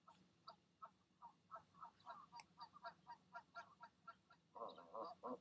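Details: Goose parents at the nest in the evening, talking goslings down to leap; steady run of short nasal grunting notes several per second, ending in louder harsher honks.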